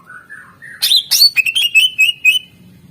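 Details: Greater green leafbird singing 'isian' song to prompt quiet birds: soft low warbling notes leading into a loud burst, then a fast series of bright, slurred whistles.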